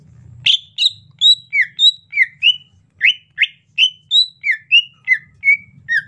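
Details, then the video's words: Rainy-season 'ocehan lemas' song of a greater green leafbird, a lively string of about fifteen sharp whistled notes, mixing falling slurs and short level or rising phrases, nearly continuous over six seconds. "ocehan lemas cucak ijo musim penghujan"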